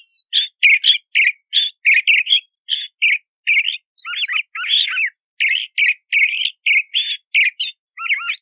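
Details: A Crissal thrasher delivers a long, varied string of chirpy, scratchy notes and slurred whistles in quick succession, some phrases doubled, with brief high sharp notes mixed in, and no background noise.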